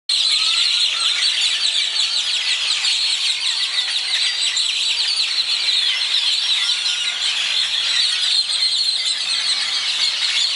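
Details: Birds singing at dawn in Zapotitlan de Mendez, Puebla, the first sound heard on waking: a dense, unbroken chorus of high overlapping chirps, trills and short whistles. Steady throughout, with no clear pauses.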